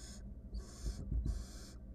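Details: In a wild barn owl nest box, the female confronting her mate or an intruder produces three harsh, whooshing hisses close together, with soft thuds and scuffling underneath.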